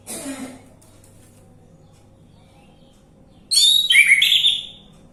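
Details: Orange-headed thrush, lure song meant to prompt a silent bird to sing: a short rustle at the start, a long pause, then a loud burst of clear whistles mixed with sharp chirps and downward-sliding notes.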